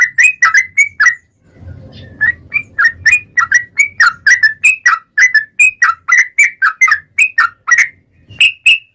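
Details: Yellow-vented bulbul in vigorous song, played as a lure for other bulbuls: a long, even stream of bubbling liquid notes around three per second, briefly broken by a low rumbling noise.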